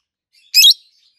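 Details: A single loud, shrill, slightly buzzy chirp from a peach-faced lovebird, one of two healthy adult green pets, one with a red face and one with a yellowish white face.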